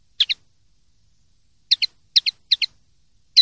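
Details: Common linnet singing 'limpio' (clean) style: crisp paired chip notes, one pair then a pause, then three pairs in quick succession and the start of another.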